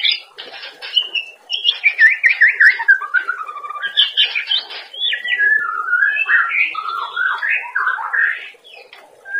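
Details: White-rumped shama master song for cage-bird training: a continuous varied stream of slurred, warbling whistles that rise and fall, mixed with scratchy notes, over faint background hum.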